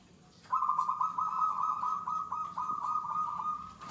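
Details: A wild-caught local zebra dove at the "gacor" level of song, meaning long-duration singing: a steady, rolling run of rapid, mid-pitched, fluttering cooing notes held for several seconds without a break.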